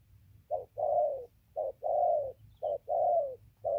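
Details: Decoy spotted dove giving three mellow doublets: a brief clipped note, then a long coo sliding gently downward, paced about a second apart over a low rumble.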